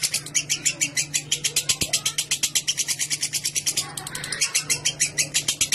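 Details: Lovebird giving clear 'ngekek' song, a long chattering style played as a lure to prompt other lovebirds into long ngekek; rapid harsh buzzy notes repeated about seven per second, unbroken for six seconds with a brief stumble near the fourth second, faint low hum beneath.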